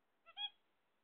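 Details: Zebra finches waiting for eggs: a single short nasal call in two quick parts, a soft lead-in then a louder honk-like note with stacked harmonics, against a quiet background.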